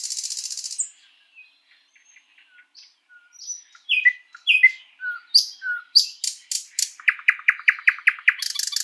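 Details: Sprosser, the thrush nightingale, singing in a spring forest, opening with a harsh rattling burst, then scattered soft piping notes, a few louder slurred whistles, and a fast series of evenly repeated chock notes ending in another rattle.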